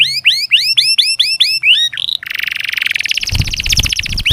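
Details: Canary song to train lazy canaries: about eight rising whistled sweeps in regular succession, then a long pulsing buzzy trill with some low thumping noise near the end.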